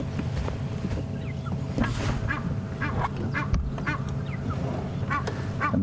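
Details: An Egyptian goose, identified on a morning safari drive near a waterhole where a hyena came to drink, gives a rapid series of harsh honking calls, several per second, over a low engine rumble with a voice in the background.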